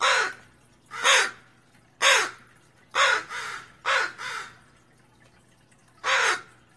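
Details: Caws of a Northwestern crow scolding a raccoon, harsh and rasping, roughly eight calls, some single and some doubled, spaced about a second apart with a longer gap before the last.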